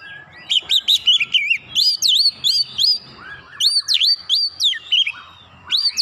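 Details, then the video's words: Rapid-fire 'nembak rapat' singing from an Oriental magpie-robin (kacer) used for training: an almost unbroken string of quick rising and dipping whistled notes over a soft low background rumble. "masteran Kacer nembak rapat"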